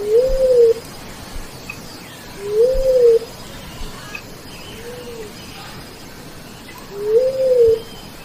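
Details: Bleeding-heart dove call played through a bluetooth speaker for forest bird hunting: four low, soft, slightly rising-and-falling coos spaced about two seconds apart, over a faint forest hiss.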